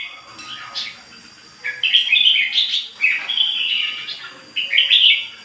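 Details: Ché bird singing continuously. A quiet opening gives way to loud, rapid strings of bright whistled and trilled notes, with a fast, uneven delivery.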